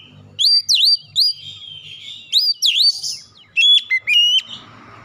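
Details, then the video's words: Stimulation song of an Oriental magpie-robin for a stressed, untrained bird, played thirty minutes at morning, noon and night; clear swooping whistles in short phrases, then sharp clipped high notes repeated several times. "PANCING 30 MENIT TIAP HARI PAGI | SIANG | MALAM KACER BAHAN SETRES CEPAT GACOR"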